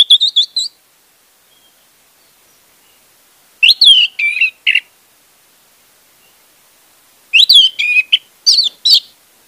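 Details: Lure song of an orange-headed thrush for a bird that will not sing: loud varied phrases every few seconds, each a string of sharp sweeping whistles and rich slurred notes, with long quiet gaps between.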